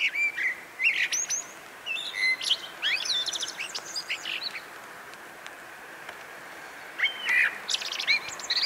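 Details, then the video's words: Song of a Eurasian blackbird at 4:15, with mellow warbled phrases followed by high squeaky flourishes, repeated in bursts several seconds apart over a steady low hiss. "4:15 śpiew kosa"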